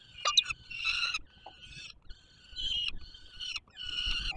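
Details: Begging peregrine falcon chicks on the Palace of Culture and Science in Warsaw, Poland, 7 July 2022, as an adult brings food: a sharp squeal, then drawn-out, harsh whining cries in half-second bursts separated by brief pauses.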